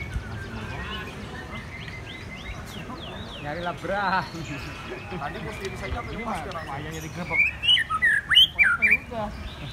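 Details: White-rumped shama singing at a bird song contest. Several seconds of people talking nearby give way to loud, sharp whistled and warbled phrases that come in rapid, varied bursts, with other birds chattering faintly in the background.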